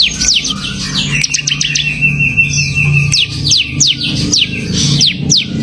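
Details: Ciblek, the bar-winged prinia, in semi gacor song: spaced, steep downward-slurred whistles and brief chip clusters, with a sustained tonal note and low rumbling background noise.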